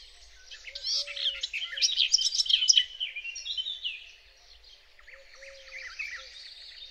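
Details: A close garden warbler sings at dawn on 8 May on a frosty, misty Biebrza meadow. It gives a fast, sustained warble of rich, mellow notes in long unbroken phrases over a steady electromechanical hum of human origin that swells in pulses.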